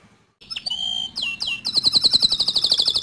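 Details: Tutor song of a bottle-green canary for training young and untrained birds: a soft start, sustained whistled notes, two downward sweeps, then a loud, fast, pulsing high trill.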